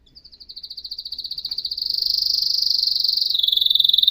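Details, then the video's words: Canary song: a rapid rolling trill that starts soft and speeds up into a loud, continuous high buzz, then drops slightly in pitch to a steady fast rattle. "تغريد كناري احترافي صوت يشعل الحماس عند الطيور"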